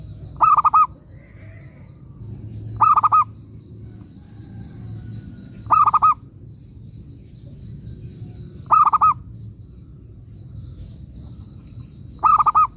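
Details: Local zebra dove in full song as a lure bird to make other zebra doves respond. Five short rolling coo phrases, each a quick cluster of mellow notes, come regularly about every three seconds over faint background noise.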